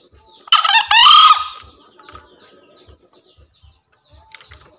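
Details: A green junglefowl (Gallus varius) gives one hoarse, two-part crow lasting about a second, used as a master call for newly wild-caught or quiet birds, then only faint scattered clicks and a soft, steady low ticking.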